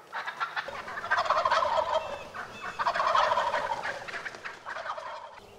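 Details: Two loud, throaty gobbles from wild turkeys in Rhode Island in early spring, each a roughly one-second rolling gurgle, separated by a short pause and followed by softer rattling.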